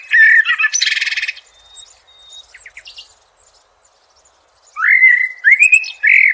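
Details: Blackbird in nature opening with a fluted note and a harsh, buzzy high twitter, pausing in near silence, then giving rising mellow whistled phrases in quick succession.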